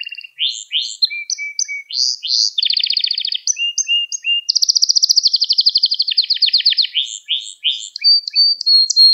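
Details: Canary song used for training young canaries: continuous medley of sliding whistles, buzzy rattles and long rapid trills, with quick changes between high and lower notes.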